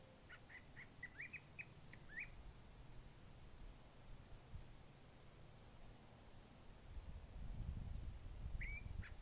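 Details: Curve-billed thrasher song, unlike its familiar wheat-wheat call: a quick string of warbled, rising notes in the first two seconds, then a long low rumble, and one last upslurred phrase near the end.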